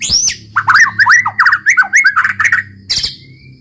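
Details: White-rumped shama (murai batu) in loud 'roll tembak' song, said to provoke rival birds into singing: a fast run of varied whistled, slurred and squawky notes, rising and falling, ending in a thin sustained whistle.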